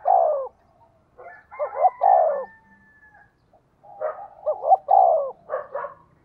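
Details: Spotted dove decoy calling to attract wild doves: loud downslurred coos and rapid multi-note coo phrases in two bursts, with a thin steady whistle-like tone between.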